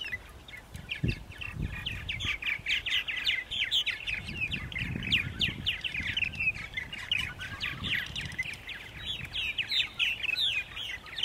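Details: Purple martins at Center Moriches, Long Island, New York, on a spring morning, 14 April 2012, 8:30 AM: a dense stream of gurgling, downslurred chirps from several birds overlapping, with low thumps and background rumble beneath.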